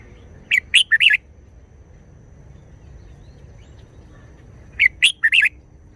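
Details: Red-whiskered bulbul performing a short wild-style song phrase: three or four quick, sharp whistled notes, rising and falling, given twice about four seconds apart over quiet background hiss.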